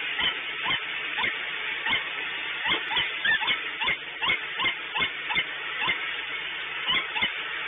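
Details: Rapid, harsh calling from a peregrine falcon at Orlen, Płock, with dense, closely packed rasping notes that come faster in the middle of the passage, over a steady background drone.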